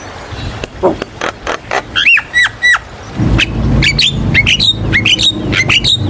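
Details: Javan myna song used to coax young birds into singing: sharp clicks, then repeated downslurred whistles over a steady low rumble.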